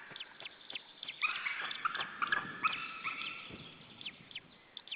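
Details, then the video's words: Male white-tailed eagle calling at a nest in Saunja, Estonia, as another white-tailed eagle arrives, on 26 April 2013 at 19:06. Harsh, yelping calls in a rapid run through the middle, over steady ticking and rustling. "Saunja Sulev is shouting, there is another WTE"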